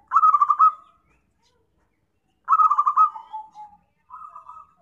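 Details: Trapping lure call of a zebra dove. Two loud stuttering phrases of fast pulses near the same pitch, the second dropping into a lower tail, then a shorter softer wavering coo.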